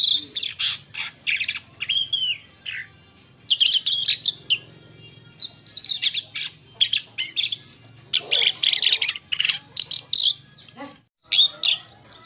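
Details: Asian pied starling lure song: a long, varied stream of rapid chattering notes, whistled slurs and harsh squawks, delivered in quick bursts with brief pauses, one near-silent gap before a final flourish.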